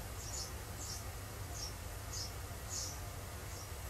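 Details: Eurasian tree sparrow nestlings, at least four siblings in a nest, 28 May 2019, practising wing-flapping, picked up off a nest monitor with a digital camera: six short, thin, high chirps about every half second over a steady low hum.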